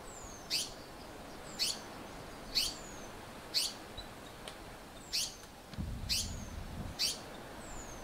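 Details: African paradise flycatcher calling in South Africa: a harsh, rasping note repeated about once a second, with a thin descending whistle drifting between calls over a steady background hiss.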